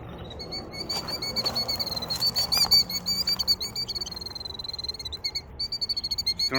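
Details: A killdeer in Tennessee gives a shrill, quavering alarm into fast stuttering notes, nearly three a second, while doing a broken-wing display as a man approaches its eggs in a gravel parking lot. He talks quietly underneath.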